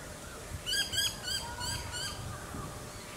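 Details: An Australasian swamphen gives a quick series of five nasal, harsh squawks over about a second and a half, filmed on the Sunshine Coast, Queensland, in September 2022, against a low background rumble.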